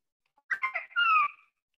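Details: Northern Bobwhite in Missouri gives a covey call in early morning, letting other coveys know its location: a few quick clipped notes, then a long clear whistle slurring slightly downward, about a second long, in quiet surroundings.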